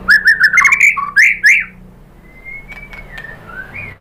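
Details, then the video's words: White-rumped shama lure song to prompt other birds to answer: a burst of loud, varied whistles and slurred notes, followed by a long thin steady whistle and softer sweeping notes. "KICAUAN MURAI BATU bikin NYAUT ikut BUNYI GACOR NGEPLONG BONGKAR ISIAN ¦ PANCINGAN MURAI"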